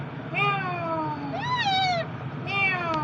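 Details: A green ringneck parrot, presented as talking, gives three drawn-out, nasal, meow-like phrases, each falling slightly in pitch, about a second apart, over a low background hum.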